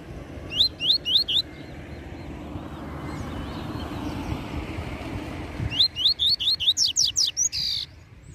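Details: A Double-collared seedeater (coleiro) sings the "tui tui zel zel" song in two bursts of quick, sharply rising, slurred, high whistled notes, several per second, separated by low rumbling background noise.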